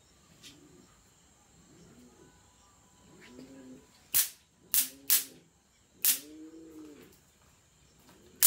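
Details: Pomeranian pouter pigeon in a breeding cage at a fancy pigeon farm, giving soft low rounded coos about once a second, interrupted by several loud sharp clicks or taps.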